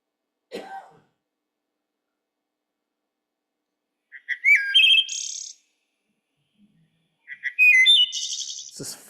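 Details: Wood Thrush (Hylocichla mustelina) song, a spring bird of Maine that sings loudly in wooded territories: two flute-like phrases about three seconds apart, each opening with low liquid notes and ending in a high, metallic trill; a brief voice at the start.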